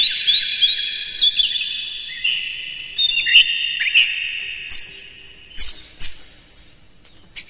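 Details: Magpie-robin song meant to rouse other birds into singing and tail-spreading: long ringing whistles sliding downward in a run of phrases, then several crisp clicks and a few brief high notes as it fades.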